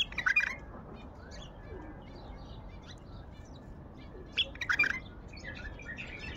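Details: A wild Baghdadi bulbul gives a brief, bubbling warbled phrase at the start, then a long quiet pause, then a second similar chattering, liquid phrase a few seconds later, over soft background hiss.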